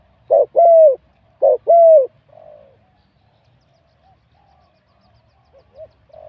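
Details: Spotted dove, a wild-caught competition bird with medium-to-large voice: two loud coo phrases, a short note then a long falling coo, followed by faint soft cooing and near silence.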